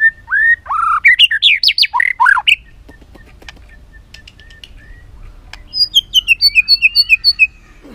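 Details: ['White-rumped shama sings luxurious filler phrases to spur other shamas: a rising whistle, then a tumbling run of loud slurred notes, a pause, and a fast ticking series of high paired notes.']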